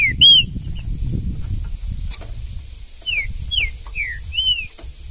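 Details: Green-winged saltator singing in the bush in Brazil: bright, slurred whistles, one near the start and a later series of four descending notes, over low rumbling background noise.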